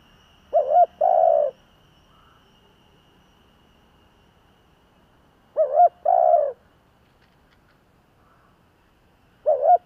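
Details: Decoy Spotted Dove, a kept bird singing in the "giọng thổ" style to provoke wild doves, repeats its low coo phrase three times about five seconds apart. Each phrase is a quick doubled note followed by a drawn-out hoot, with quiet between.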